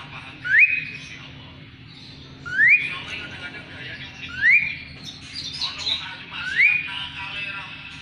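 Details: Asian pied starling in song, used as tutor material for magpie-robins; a clear, steeply rising whistle is repeated about every two seconds, each followed by softer chattering notes.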